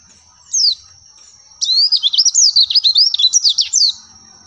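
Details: Oriental white-eye song used as therapy to make caged birds answer: a single high sliding note, then a fast twittering run of thin, very high whistles zigzagging up and down for over two seconds, over a steady high-pitched tone.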